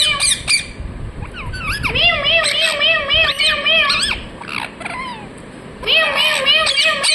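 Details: Talking parrot uttering a run of speech-like phrases, bending and wavering in pitch, in two main bursts with a quieter pause between them and faint room noise.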